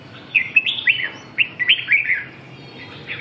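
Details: Red-whiskered bulbul singing two brisk groups of slurred whistled notes separated by a short pause.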